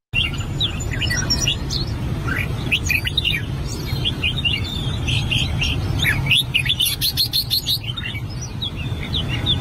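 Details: An albino red-whiskered bulbul (Pycnonotus jocosus) practising its song sings quick, bright whistled phrases over a busy background of overlapping chirps from other birds and a steady low hum.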